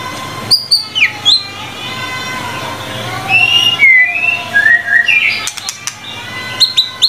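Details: Chattering, whistled song of the white-rumped shama (murai batu) for tutoring: scattered sharp chips, downslurred and upslurred whistles, a flowing series of mid-pitched slurred notes, ending in fast high chips.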